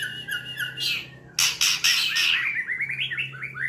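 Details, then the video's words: White-rumped shama, trotol style: harsh broadband bursts followed by a quick rising series of short whistled notes repeated in fast succession, over a steady low hum. "Bunyi murai trotol"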